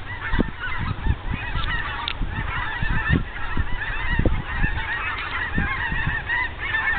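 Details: Geese flying overhead at sunset in the afternoon, a chorus of many overlapping honks and yelps running continuously, with low rumbling wind or handling noise beneath.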